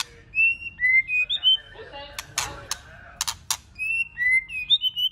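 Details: White-rumped shama singing varied phrases to stimulate other shamas to sing: short clear whistles that jump between pitches, broken by several sharp broadband clicks midway, then more bright whistled notes.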